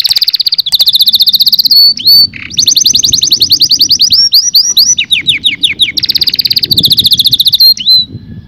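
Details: Canary song meant to stimulate males and females to mate: loud, high rapid rolled trills and tours that switch between pitches, with brief upward whistled slides between phrases and a soft low rumble beneath.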